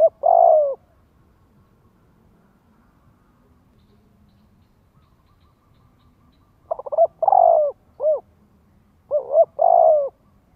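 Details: Spotted dove coo played as a lure to get young birds cooing: one hollow phrase, a long quiet gap, then two more phrases, each with stuttering lead-in notes, a sustained coo and a short final note.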